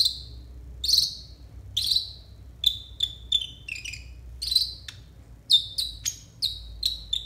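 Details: Konin song used as therapy and as a tutor recording for untrained konin: sharp, high, downward-slurred chirps, fast and irregular, with some notes doubled and clusters toward the end over a faint low hum.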